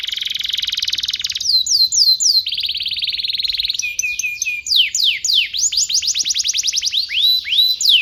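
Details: Long canary song meant to train young canaries: a fast, even buzzy trill, then a lower rattling roll, then descending sweeping whistles repeated about four per second, some flicking upward at the end.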